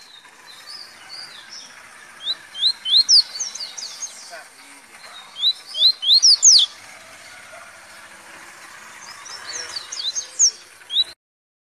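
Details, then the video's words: Double-collared seedeater in velocista style: fast clusters of sharp rising whistles in three phrases, the last one fainter, against a constant hissing background. "Papa Capim Velocista"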